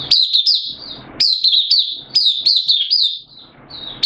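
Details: Hobby-kept caged oriental white-eye singing openly on 8 September 2022, slightly below its usual form; nearly continuous high, thin, warbling phrases with quick downslurred notes and brief gaps.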